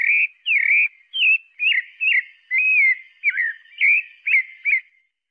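A pale-breasted thrush sings a run of about ten short, clear whistled phrases, each slurred differently, delivered almost back to back against a quiet background.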